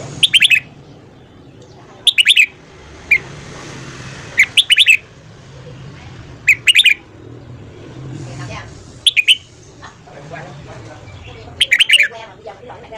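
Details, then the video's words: Red-whiskered bulbul singing in the morning, used for voice training: repeated short bursts of sharp, rapid whistled notes every two to three seconds, with a soft hum and faint distant noise between phrases. "luyện giọng chào mào hót sáng"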